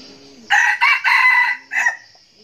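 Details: Decoy red junglefowl, a captive bird that crows often, lets out a strong crow of three raspy bursts and a brief final syllable, while a soft low cooing call sounds faintly behind it.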